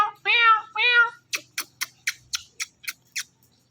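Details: Ringneck parrot kept as a pet, talking into a phone and mimicking a cat: two drawn-out harmonic meows, then about eight short, sharp clicking chirps at a steady quick pace.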